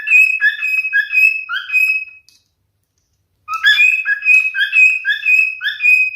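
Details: Male cockatiel song of clear whistled phrases with rising and falling notes, a long sustained whistle, a pause, then another phrase of varied warbling whistles.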